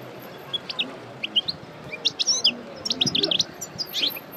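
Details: Fresh out of moult, a parva European goldfinch coupleur runs through its song in short, sharp, high chirps that build into clustered liquid twittering toward the end, over faint background noise.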